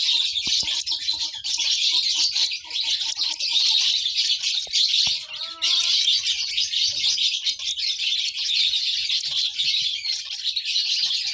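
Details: Chirping of a baby lovebird, a steady wash of shrill, rapid chirps that barely pauses, with brief lower whistled notes near the middle and occasional light taps.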